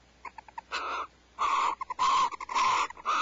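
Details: Barn owls at Starr Ranch on 1 January 2012, just before 5 am, sharing a vole meal: soft ticking clicks, then several loud, harsh hissing screeches of about half a second each in quick succession.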